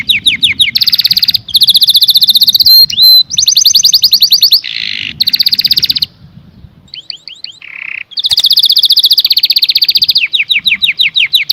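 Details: Canary singing: rapid rolling trills of high repeated notes, broken by short pauses, a buzzy lower burst, a brief pure whistle and a rasping low section, then more fast trills.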